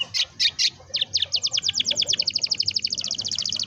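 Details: Canary in a long rolling song played to get young canaries singing; a few separate chirps, then a rapid, accelerating trill of high notes that grows denser.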